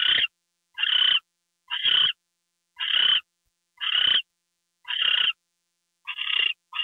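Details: Owl screeching as a gopher is brought in at night, 10:43 PM, February 2, 2013: eight rough, breathy screeches spaced just under a second apart, the last two closer together.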